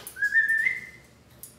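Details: Caged pet Amazon parrot at home whistling one long rising then level whistle, clear and sustained, fading out in a quiet room.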